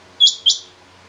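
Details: Calling female rain quail gives a single pair of short, high, sharp notes in quick succession, with a quiet background.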